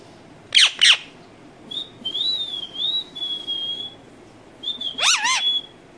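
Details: Pet Indian ringneck parakeet, a talking parrot, opening with two sharp squawks, then a long high wavering whistle that rises and falls before settling on a steady tone, ending with a burst of squawking notes.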